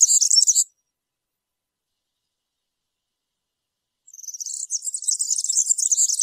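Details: Cante campero of a European serin, a field-style song played to young birds to copy: a short sizzling burst, a long silence, then about two seconds of rapid, high, metallic twittering.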